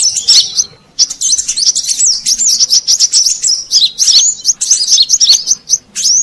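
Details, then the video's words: Brown-throated sunbird lure call, used to attract wild birds: rapid high, thin twittering with sharp up-and-down squeaky notes in dense bursts, broken by one short pause near the start, with a faint low hum beneath. "Suara Pikat Burung Kolibri Kelapa Manggar"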